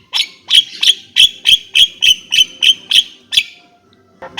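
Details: Javan myna giving a rhythmic series of about eleven short, sharp, clicking whistled notes, evenly spaced about three per second, then falling briefly silent.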